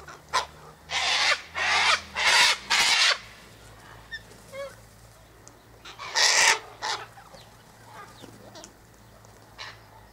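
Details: A flock of Sulphur-crested Cockatoos at a gate eating tossed sunflower seeds, wheat and birdseed mix: a run of four loud, raspy, drawn-out screeches, a pause with faint chirps, then one more harsh screech.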